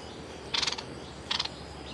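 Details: A Streak-eared Bulbul used as a trapping decoy gives a "rik" call at a captured young female: two brief, bright chattering bursts of a few quick notes each, under a second apart, over a steady background hiss.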